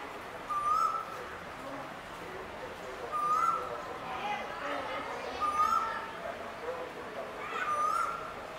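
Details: Male Asian koel calling: a short clear whistled note rising at the end, given four times about every two and a half seconds, over a steady murmur of background noise with faint higher chirps from other birds.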